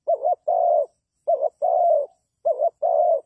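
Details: Spotted dove calling as a decoy bird used for trapping: a short wavering two-part coo followed by a long, level, husky croon, the phrase given three times about a second apart in a quiet setting.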